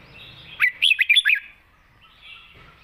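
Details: Single short phrase from a Red-whiskered bulbul singing in wild style with a light voice: four or five fast, bouncy whistled notes rising and falling, followed by quiet.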